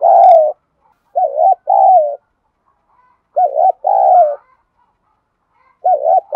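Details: Spotted dove coo series used to stimulate other doves to reply: a loud opening coo, then paired phrases of a short wavering coo followed by a longer falling one, separated by quiet gaps.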